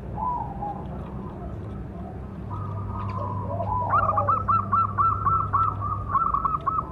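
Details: Local zebra dove with a big voice, its lure call used to train and provoke other doves: soft drawn coos build into a long, fast run of clipped, bubbling coo notes over a low steady hum.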